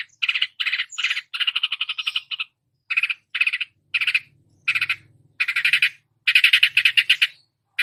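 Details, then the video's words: Long-tailed shrike (cendet) imitating other songbird species: harsh, buzzy, rasping bursts in uneven groups with short gaps, some phrases run together into rattling chatter, with a faint low hum beneath. "masteran cendet menirukan semua jenis burung kicau"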